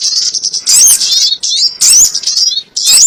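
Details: Sogon bird calls for trapping: three loud bursts of squeaky, slurred twitters about a second apart, with softer steady chirping between them.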